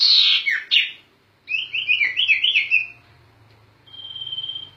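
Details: Sirtu bird giving gacor ngerol song as a master recording for cage songbirds: a loud harsh burst, then a rapid wavering whistled trill, quiet, and a long sustained high whistle over low hum.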